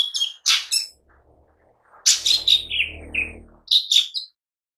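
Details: Gacor singing of a lesser green leafbird, used to lure and tutor birds: loud, high, slurred chirps and descending whistled notes in quick bursts, with a low hum underneath during the middle phrase.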